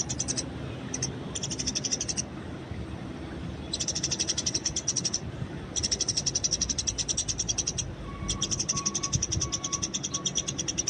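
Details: Eurasian tree sparrow in the wild, recorded for training with fighting chatter: long bouts of dense, rapid, hissy chirping separated by short gaps. A faint, low, repeated tone is heard near the end, with light background noise.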